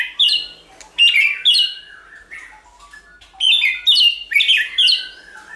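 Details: White-rumped shama song used to provoke and train shamas to sing, many voices: bursts of bright, high whistled notes with sliding, slurred phrases, delivered in quick clusters separated by short pauses.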